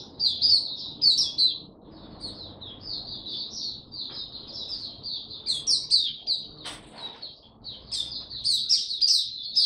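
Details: Caged white-eye from Singapore, finally back in song on 31 July 2023, produces long runs of quick, high, twittering notes in loud surges, with a brief quieter spell near the middle.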